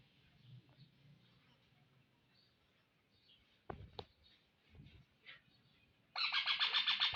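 A rose-ringed parakeet bursts into a loud, harsh, rapidly pulsed screeching at the end, after several seconds of quiet room sound with a few faint clicks.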